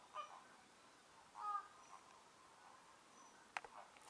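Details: On January 4, 2024, at the Lagunska ribogojnica nature reserve, an American flamingo gives two short, nasal, goose-like honks about a second apart against a quiet background, followed by a sharp knock near the end.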